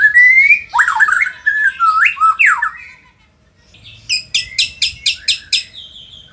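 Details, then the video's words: White-rumped shama from Indonesia, a caged songbird, singing loud varied whistled phrases with sweeping slurs, a short pause, then a rapid series of about eight sharp repeated high notes. "murai gacor super figter | shama bird Indonesia"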